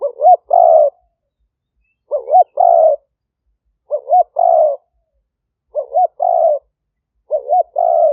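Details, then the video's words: Fierce-strain spotted dove decoy recorded in 2021 at Khok Lam, Roi Et, Thailand, calling to attract wild doves; five evenly spaced phrases, roughly every 1.8 seconds, each two brief rising-falling notes then a longer burred coo. "เสียงต่อนก หลิ่วตันสายพันธุ์ดุ #8 นกป่าเรียกกุกเข้าเร็ว เสียงนกเขาใหญ่ป่าเต็ม100"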